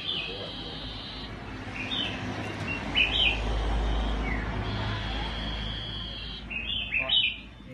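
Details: Black-headed iora song used to make wild birds sing: drawn-out level whistles alternating with short slurred chirps, then another long whistle and a cluster of sharp notes, over a rumbling low background.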